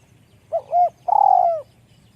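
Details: Spotted dove with a small, high voice gives a low cooing phrase: two short hollow coos, then one longer, slightly vibrating coo that fades downward, with faint low background hum.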